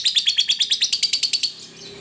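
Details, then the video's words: Lovebird voice used as training material for other lovebirds: a quick run of about fourteen shrill, even chirps at roughly seven per second, fading after one and a half seconds. "sekali dengar Lovebird jenis apapun akan bunyi"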